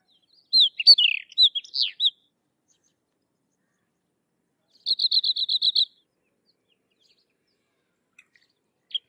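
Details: Sykes's lark singing: a quick burst of sweet, slurred whistles and chirps, then after a pause a rapid, even trill of eight or nine high notes, then a faint final chirp. Quiet background.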